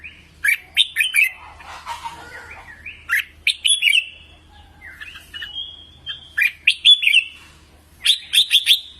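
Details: Red-whiskered bulbul song for voice training of caged birds: lively phrases of sharp, liquid chirps in quick clusters, separated by brief pauses, with a short rustling noise early on.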